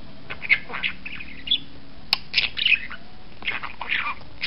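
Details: Pet budgerigar watching outside, giving scattered scratchy chirps and squeaky warbles in short bursts, with clicks and a low background hum.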